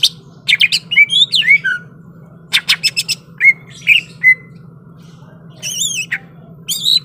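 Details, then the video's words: Greater green leafbird, said to be ready to fight, delivering rapid high chips and down-slurred whistles, then rasping notes and wavering high phrases near the end, against a constant low background hum. "SUARA BURUNG CUCAK IJO SIAP TARUNG."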